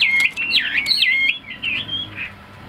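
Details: A captive Chinese hwamei, a tame pet songbird, gives a brief burst of loud, looping whistles that fades into softer trailing notes.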